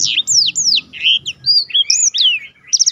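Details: Song of a black-throated canary recorded as training material for competition birds; clear high downslurred whistles follow one another rapidly, ending in a fast stuttering trill of short repeated notes.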